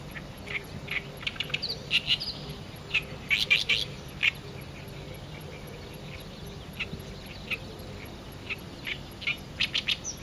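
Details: An Oriental reed warbler at its song post sings loud, harsh, grating chatters in short bursts with brief pauses, over a thin steady insect hiss and a low rumble; a female bull-headed shrike nearby does not interfere.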